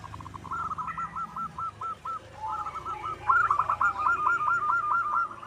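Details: Local wild zebra dove singing as a lure for other doves: soft, rapid strings of short cooing notes at mid pitch, a brief pause, then a louder, brisker run of ringing notes over steady background noise.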